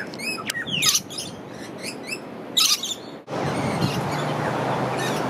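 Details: Rainbow lorikeet in Australia feeding on nectar from native Umbrella tree flowers: shrill, scratchy screeches and thin high chirps in the first three seconds, then a loud steady rushing noise takes over.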